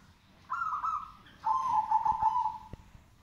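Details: Zebra dove cooing: a steady, higher coo of about a second, then after a short gap a longer, lower, slightly warbling coo with a few sharp clicks against quiet background noise.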